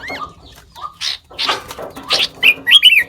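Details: Sooty-headed bulbul imitating other birds: scattered soft notes building to loud harsh chirpy bursts and a few sharp rising whistles toward the end.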